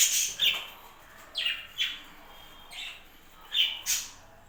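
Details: Several chattering budgerigars in a breeding setup trade quick, high chirps and squeaky falling notes, about eight calls in under five seconds.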